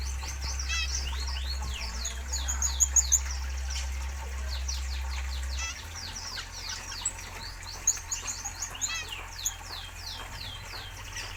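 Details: Housed in a spacious aviary with natural surroundings, zebra finches give repeated bursts of high, nasal, downslurred notes and trilled runs, with a low hum that softens partway through and occasional soft knocks.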